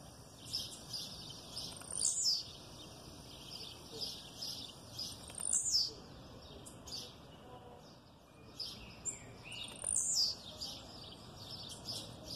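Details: Blue-black grassquit, aggressive song with female calls in the background: four high, buzzy, downslurred notes, roughly one every three seconds, with faint high chirping between them.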